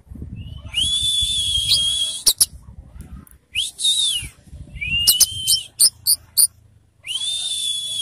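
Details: Orange-headed thrush in a cage giving long, slightly rising whistled phrases with a buzzy edge, separated by sharp clicks and short pauses, over low background rumble.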